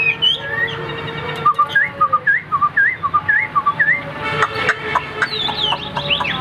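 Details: Caged Chinese hwamei singing alone with a female kept out of sight nearby; loud looping whistled notes repeated roughly twice a second, followed by rapid clicking and jumbled higher notes over faint room hum.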